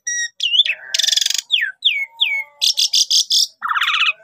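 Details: Energetic Javan pied starling song for luring birds into traps, mixing sharp descending whistled slurs with loud harsh rasping bursts and a final low buzzy rattle.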